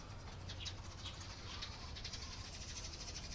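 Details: Eurasian tree sparrow, 28 April 2022. Brief, bright chirps come in a loose, uneven series over a constant low hum.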